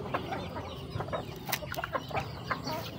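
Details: Chickens feeding, with scattered soft clucks and sharp pecking clicks over a steady low rumble, plus a few brief higher notes near the middle.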